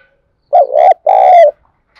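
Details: Spotted dove coo used to lure wild doves: two loud low notes, the first rolling and wavering, the second long, buzzy and slowly falling.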